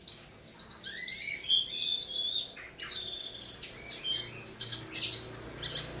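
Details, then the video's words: Cage-bird tutor song: a varied run of high whistles, sharp chirps and rising and falling notes, switching phrases quickly with short pauses between bursts. "Berbagai suara burung masteran"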